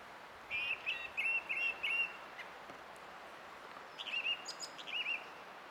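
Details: Song thrush singing on 20 April 2016: a run of repeated clear notes, then a pause and a second brisk phrase of several repeated notes, with faint background hiss.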